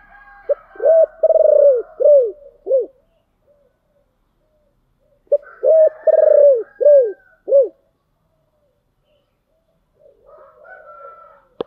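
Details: Spotted dove singing in the giọng thổ song style: two low cooing phrases about five seconds apart, each a short note, long stretched coos and two shorter arched coos, then quiet with a faint rustle at the end.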